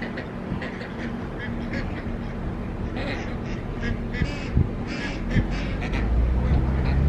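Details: Flock of about 57 mallard ducks, mostly females, crossing a street beside a local lake; harsh, irregular quacks burst out in clusters over steady low engine rumble from a car.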